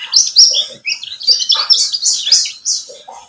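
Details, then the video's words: Pleci buxtomi white-eye, used as a lure recording to prompt other birds to sing, giving a rapid jumble of high, sharp chirps and short descending whistles with brief pauses. "Pancingan pleci buxtomi agar bunyi"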